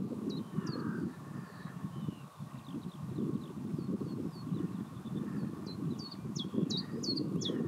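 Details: Common chiffchaff singing near Pehritzsch, Germany: short, high, clipped notes in an uneven chiff-chaff series, partly buried under steady low wind or traffic rumble.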